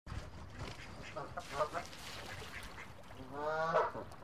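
Geese chatter with a few nasal, reedy honks, one near halfway and a longer, rising one near the end, over a low rumbling background.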